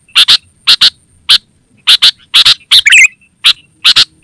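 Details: Energetic sooty-headed bulbul call for attracting wild birds and training household birds: clipped notes in quick pairs roughly every half second, broken by a single gurgled burble, above a faint high-pitched hum.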